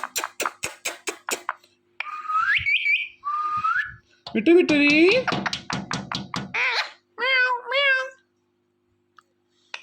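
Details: Pet ringneck parrot talking to a phone it likes to watch: a run of sharp taps, then rising whistles and harmonic, speech-like syllables, ending in wavering whistled phrases, in a small room.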